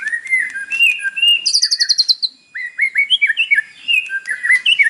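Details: Morning white-rumped shama song with mimicry, meant to provoke captive birds to sing: a run of mid-pitched whistled notes, a brief high buzzy trill, then a string of short upslurred whistles.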